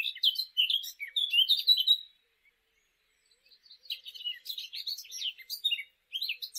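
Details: Eurasian blackcap from the UK singing a fluting, warbling song in two bursts, quick varied high notes tumbling together for about two seconds, a pause, then a longer chattering phrase.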